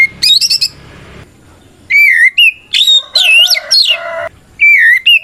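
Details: White-rumped shama in loud fighting song used to provoke rival shamas into answering: quick high chirps, then rich whistled phrases swooping and bending around a steady middle pitch, separated by short pauses.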